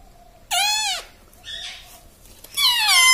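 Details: Pet talking parrot at home, taught to say mummy, papa and radhe radhe; two loud, harmonic, voice-like utterances with a falling pitch glide, separated by a softer nasal syllable, on a quiet indoor background.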